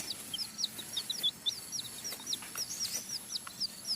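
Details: Nine-day-old Sumatran red junglefowl chick let out to roam and forage in grass, giving a quick series of thin, high peeps, each with a downward hook, roughly three to four per second, over faint background hiss.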